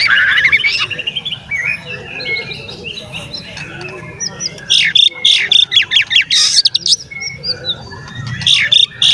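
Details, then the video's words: Song of an Oriental magpie-robin, meant to agitate other magpie-robins: softer whistled warbling gives way to a loud burst of fast repeated sharp notes and descending whistles, with a low hum underneath. "SUARA BURUNG KACER GACOR ngeplay santai MANGGIL kacer auto KONSLET buka ekor TERAPI KACER agar EMOSI"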